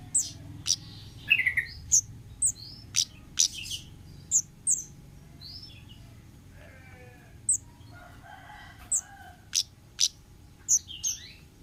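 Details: Wild orange-headed thrush giving a long sequence of sharp, high clicks and thin whistles at irregular intervals, with a softer muttered warble in the middle.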